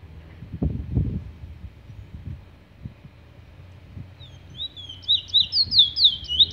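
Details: Chestnut-bellied seed finch, called Trini bullfinch, singing in the "Revolver" style: quick, high, sweet whistled warbling notes in rapid succession during the second half, after soft low thumps and handling noises at the start.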